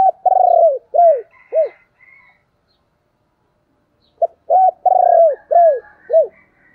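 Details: Decoy spotted dove calling: two bursts of deep cooing, each a long coo followed by short curved notes dropping at the end, separated by a few seconds of silence, with faint higher chirps in the background.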